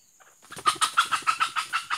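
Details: A female red junglefowl, a decoy bird for trapping, utters a fast run of about ten loud, evenly spaced clucks, each a sharp rising note, after a quiet start.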